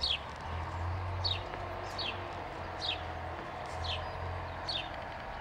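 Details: Sparrow chirping: brief downward-slurred notes repeated roughly once a second against a noisy background with a low engine-like drone.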